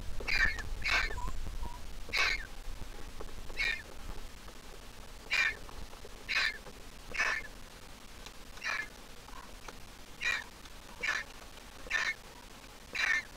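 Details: Grown Griffon vulture nestling from the Jerusalem Biblical Zoo, placed in a nest in 2023. Short, hoarse squeaks repeat about every second over faint background rumble.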